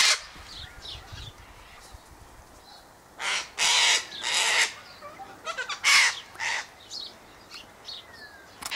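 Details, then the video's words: Wild sulphur-crested cockatoos (Cacatua galerita) in a flock by an eastern gate, feeding on tossed sunflower seeds, wheat and birdseed; harsh broadband screeches in bursts, several overlapping, with quieter squawks between and faint background birds. "Cockatoo Flockatoo"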